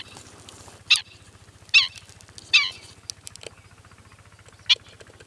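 Black-winged Stilt giving four sharp, nasal yelping calls at uneven intervals over about five seconds, against a low steady rumble.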